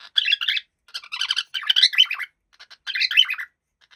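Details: A happy pet cockatiel chatters in choppy bursts of bright, scratchy chirps, about four clusters with short gaps between them.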